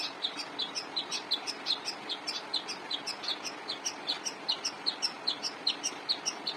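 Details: Long-tailed shrike singing persistently, a master song for cage-bird training; evenly repeated piercing chirps, roughly two to three per second, throughout.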